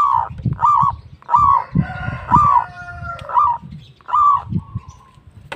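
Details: Local zebra doves give repeated short, throaty cooing bursts about once a second, with some overlapping phrases. Heavy low rumbling and knocking fills the background.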